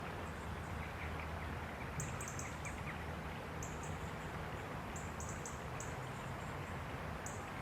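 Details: A grey wagtail by the River Cynon gives sharp, very high, thin calls in quick clusters every second or so, over the constant rush of the river.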